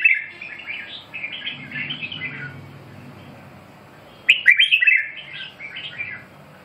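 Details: Red-whiskered bulbul singing: bright, warbled phrases of quick up-and-down whistled notes, a pause after about four seconds, then a louder burst of rich chirping phrases, over a low steady background hum.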